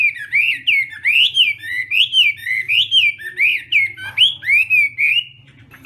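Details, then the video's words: Chinese hwamei training its voice in the morning for a singing contest, repeating a clear, rising-then-falling whistled phrase about twice a second in a steady, rhythmic series before a brief soft ending. "Hoạ Mi Hót Đấu /hoạ mi hót sáng luyện giọng kich bổi sổ giọng chim hót hay mỗi ngày/"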